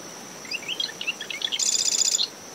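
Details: Early-morning marsh wren song from dune vegetation near a nest, recorded ten meters from the high tide line: scattered short chips and whistles, then a dense, rapid mechanical trill, with wind, surf and a constant cricket drone behind.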